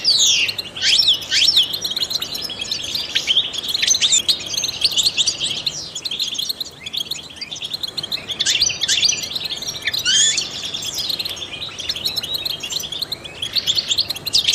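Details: Trained European goldfinch delivering a long, continuous song meant to stimulate other songbirds: bright twittering, quick descending whistles and tinkling chirps, with a short quieter pause midway before energetic phrases return.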